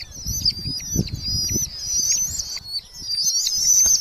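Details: Several Red-footed falcon nestlings in a nest box of a large Hungarian colony in July 2025 give shrill, wavering, overlapping squeals almost continuously, with soft knocks and scuffling from the box below.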